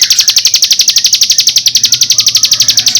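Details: Song of a bar-winged prinia, used with magpie-robin sound to stir up untrained birds: steady rapid rattle of piercing, buzzy notes, close to four each second, throughout.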